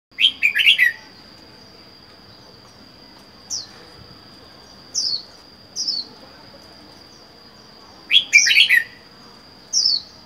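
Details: A caged red-whiskered bulbul, wild-caught and kept alone for four months, gives two bursts of bright, bubbly chirping phrases with single sharp notes scattered between, while a steady high whine runs throughout.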